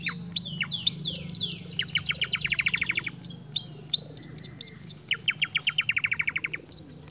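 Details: Long-tailed shrike singing vigorously and steadily without a break, imitating other birds: high whistled notes and slurred chirps, then a fast run of about a dozen rapid descending clicks, another click series near the end, with a low steady hum beneath.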